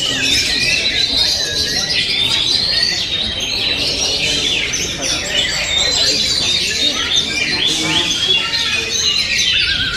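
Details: Oriental magpie-robin pouring out a busy, high medley of chirps, whistles and rapid trills, with short bright phrases following closely one after another.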